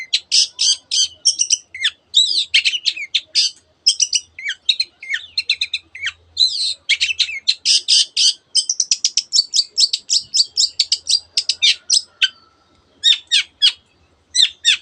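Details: Long-tailed shrike in full, tightly packed song imitating canary and many other bird species: an almost unbroken flow of sharp high chirps, squawks and scratchy notes, easing into spaced single chips near the end.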